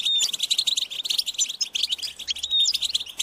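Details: Chicks of the European goldfinch beg parents for food with high-pitched, insistent calls. Loud, packed chirping and twittering, with several clear whistled notes sliding through the chatter.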